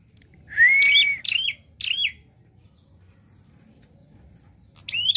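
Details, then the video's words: A prinia in active song delivers a loud sustained rising whistle followed by two snappy chirps, then a pause and a final clipped note. "Prenjak Klawu Gacor Variasi Nembak"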